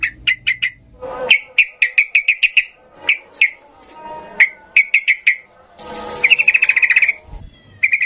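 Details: Sooty-headed bulbul singing in the emotional 'ngalas' style, used to train young birds. Sharp chirps come singly and in quick clusters, with one dense rapid trill near the end.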